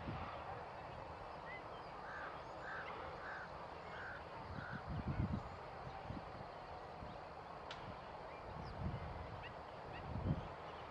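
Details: A lone bar-headed goose giving a quick run of four or five soft, nasal honks, then falling quiet. Low rumbling wind or handling noise runs throughout.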